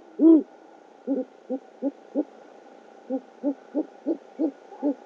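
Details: Great horned owl at a nest camera in OKC, 12 February 2013 around 9.30 PM, the male bringing a rodent to his mate: one loud low hoot, then a quick series of short, soft, low hoots over steady hum.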